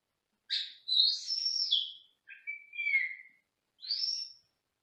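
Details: Senegal parrot kept in a small cage in another room, producing a run of chirpy whistled phrases: a long warbling sweep, a falling note, then a rising whistle, with quiet gaps between.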